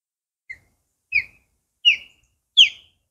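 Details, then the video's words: Large, vocal osprey perched in a tree at Castaway Island Preserve, calling: four sharp, high whistled chirps about half a second apart, the first faint, the rest louder and slightly downslurred, in otherwise quiet surroundings. "Call of The Osprey King"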